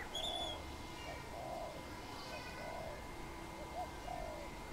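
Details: Wild dove perched on a tamarind branch, a Khmer bird, giving soft low coos repeated every second or so, with a brief high whistle from another bird near the start over steady background hiss.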